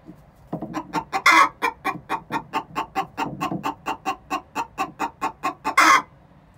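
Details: Egg song of two six-month-old hens before laying an egg, a steady stream of rhythmic clucks framed by two loud grating squawks.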